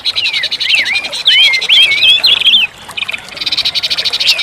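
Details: Orange-headed thrush song played as therapy for a caged bird that has stopped singing: loud whistled notes that swoop up and down, given in quick phrases, over a steady fast buzzy pulsing trill in the background.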